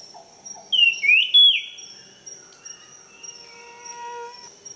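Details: Jungle flycatcher (tledekan) in the wild delivering a bright, slurred whistled phrase that swoops up and down, followed by quieter trailing notes, with a constant high-pitched insect buzz behind it.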